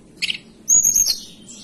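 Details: {'caption': 'Brief snatch of hill blue flycatcher song from the mountains of Banten and West Java: a soft chirp, then a sharp high whistled phrase that fades out.'}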